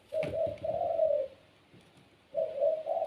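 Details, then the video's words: Puter pelung dove kept as a cage bird, low mellow coo phrase of short then long rolling notes, a pause, then the phrase starting again; a soft knock at the opening. "PUTER PELUNG SUARA GACOR||Bikin puter lain ikut bunyi."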